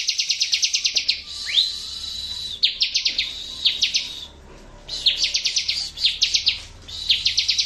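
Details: Bar-winged prinia singing, played to make birds that have stopped singing respond: fast runs of up to ten sharp, high chipping notes, separated by short pauses, with one rising slurred note and a thin steady tone in between.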